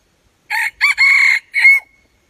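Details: Red junglefowl crowing: four loud, clipped bursts, the second and third joined into a long steady middle, ending in a short note that trails into a thin fading tail; otherwise silent.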